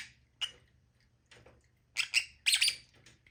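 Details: Lovebird giving a few sharp, high chirps and squawky bursts, isolated at first then clustered in quick pairs near the end, with quiet gaps between.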